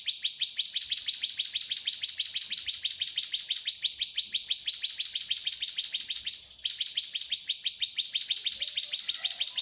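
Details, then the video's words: Cigun singing for use as a master recording to teach magpie-robins and white-rumped shamas: fast, high, scratchy notes repeated in a regular rhythm, with one short break before the series resumes. "Cigun Buat Master Burung Ocehan"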